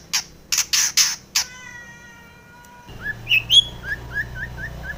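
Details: Female long-tailed shrike recorded in the morning as a lure to steady caged birds: four harsh, rasping broadband bursts in quick succession, then a long steady pure tone with overtones, followed by short rising whistled notes repeated about every half second.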